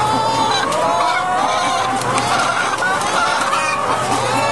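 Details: Battery-caged laying hens in France, winter 2012, a crowded flock giving loud overlapping clucks and quavering, harmonic squawks, with a low mechanical drone running underneath.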